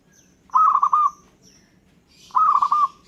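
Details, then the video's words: Local zebra dove singing, said to make other birds answer: two rolling trilled coo phrases about two seconds apart, with faint high twittering from other birds. "Gara-gara Perkutut lokal ini, burung lain Langsung Nyaut dan Ngayer"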